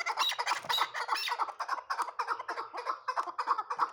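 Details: Young hybrid chukar partridge bred for fighting, calling in rapid, evenly spaced harsh chucks, roughly three or four each second, with a few sharper squawky notes at the start.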